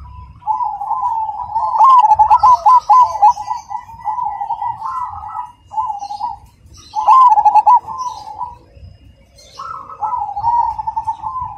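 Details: Zebra dove of the Cemani type cooing: warbling, bubbling trills in loud bursts, separated by softer rolling coos. The phrases repeat over about twelve seconds.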